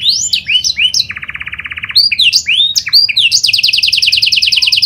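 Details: Pied 'panda' canary singing steadily, a lure recording meant to prompt other canaries to sing: high upslurred notes, then a fast rattling roll of even pulses, more swooping phrases, ending in a long rapid high trill.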